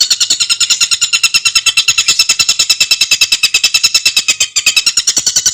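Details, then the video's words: Stork-billed kingfisher giving a fast, unbroken chatter of sharp, high, buzzy notes, about ten a second, evenly spaced, with no other sounds; used as a training recording for songbirds. "kicauan burung tengkek buto untuk masteran - gacor suara jernih speed rapat"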